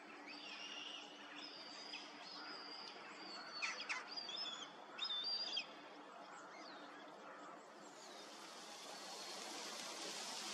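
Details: A young kite calling while two kites fly, 23 August 2023: thin, high whistled calls, a few short wavering notes grouped in the middle, over a steady hiss of outdoor background noise.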